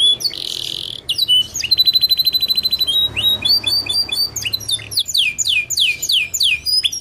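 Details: Canary delivering song played to draw other canaries into singing: opens with a harsh buzz, then a fast pulsed trill, followed by repeated steep downward-sweeping chirps in quick succession.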